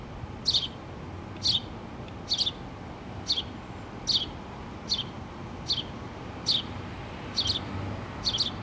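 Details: Mother house sparrow and two babies in their nest inside a pole, filmed 8-3-2017. About ten bright, high, falling chirps repeat roughly once a second over a low steady hum.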